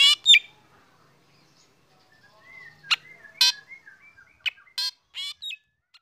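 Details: Morning song of a black drongo kept out in the sun, which sets other birds singing: a couple of loud scratchy notes, a quiet stretch with soft whistles, then several harsh, buzzy bursts.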